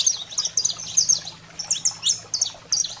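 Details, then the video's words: A saffron finch sings high, sharp chirping notes in quick pairs and small clusters, some dropping in pitch, recorded to stimulate pet canaries; faint low hum throughout. "Canário-da-terra Fogo Selvagem para Estimular a Fibra e Foguear seu Canário em Minutos"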